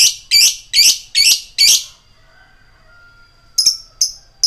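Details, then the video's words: Lovebird giving harsh, buzzy chattering notes, five rapid bursts in under two seconds, then a pause with a faint thin tone and three more short sharp notes; the calls are used as a lure to rouse other lovebirds into calling. "suara Lovebird ngetik koek"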